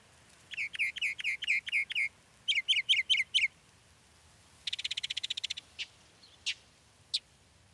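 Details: Texas mockingbird song of changing phrases: a rapid series of repeated chirps, a tighter group of similar notes, then a fast buzzy rattle and a few isolated sharp notes.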